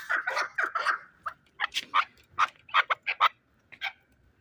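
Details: Fighting chukar partridge, Shahritus, Tajikistan: clusters of hoarse clucking notes, first a quick burst of four, then spaced sharper chucks, with a short pause before one last note.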